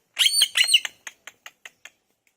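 An Indian ringneck parrot gives two harsh, rasping squawks, then a quick run of five short, high clicks spaced about a fifth of a second apart.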